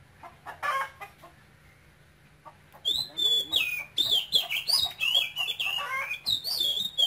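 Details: Caged male oriental magpie-robin, brought from Cambodia as a youngster, with a Quảng Ngãi-style voice that keeps a Cambodian character. After quiet scattered notes, a fast run of loud, high whistled phrases begins near the three-second mark and continues, with slides and trills.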